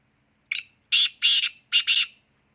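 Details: Black francolin, said to give nine calls in one minute, delivering a single harsh, grating phrase of five loud rasping notes: one short note, a pause, then two paired bursts in quick succession, over a quiet background.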